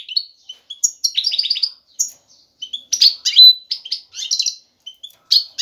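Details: Male European goldfinch calling a female to mate and build a nest. Short twittering notes and crisp chirps come in irregular clusters, with a few sharp metallic notes and brief silences between bursts.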